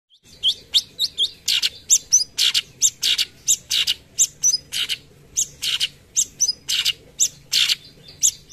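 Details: A cucak cungkok bulbul in full song gives "tembakan" phrases used for tutoring other birds: a rapid run of sharp, high chirps and sweeping whistled notes, about two each second.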